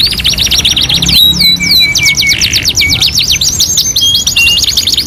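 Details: Canary song opening with a fast rattling trill, shifting to falling whistled slurs and long low flat notes, then rising sweeping phrases repeated several times per second.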